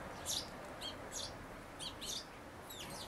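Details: Sparrows at a nest box on 11 May 2012, a day before the young fledged, parents flying back and forth as a grown chick peers from the hole; a few sharp high chirps, spaced irregularly, over a steady background hiss.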